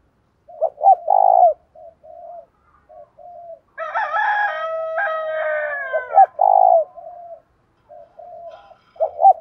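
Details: Spotted dove used as a decoy, 'thổ' voice, calling to excite wild males. Low, hollow coos at the start, then a loud, bright crowing sound with layered tones dominating the middle, then further short coos.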